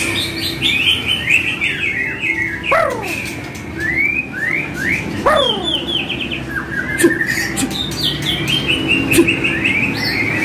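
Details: Training song of a white-rumped shama: bright rising whistles, fast warbling runs and sharp falling sweeps, delivered in lively, changing phrases over a low hum.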